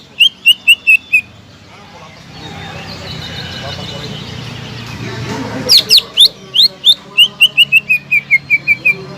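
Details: Greater green leafbird lure song for a leafbird that has stopped singing: a few quick whistles, a noisy pause, then a long rapid series of about sixteen bright notes stepping gradually lower.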